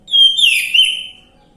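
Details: Orange-headed thrush lure recording meant to get a non-singing bird to sing: a single bright whistled phrase opening on a pure held note, then breaking into a fuller, descending warble before fading after about one second.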